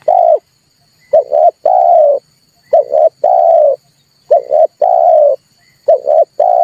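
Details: Red collared dove calling, a recording used to stir birds to sing and lure them into traps: low coos in phrases of a quick double note then a long drawn note, phrases repeating about every 1.6 seconds over a faint steady high hum.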